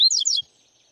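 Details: Double-collared seedeater (Sporophila caerulescens) song: a quick burst of high, sweet notes sliding down in pitch, lasting under half a second, then quiet.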